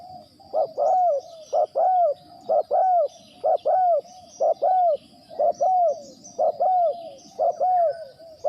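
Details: Trapping decoy spotted dove calling without pause, a regular run of double coos about once per second, each a quick hoot followed by a rounded, downward-sliding note, over a faint high background tone.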